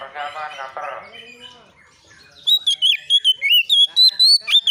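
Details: Oriental magpie-robin, an untrained bird, responding to a rival: a harsh, buzzy chatter at first, a short lull, then rapid loud whistled notes about four per second, rising and sliding.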